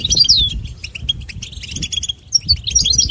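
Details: Brief goldfinch song in its natural environment: a slurred, whistled note, then scattered high chirps and quick twitters, over low background noise.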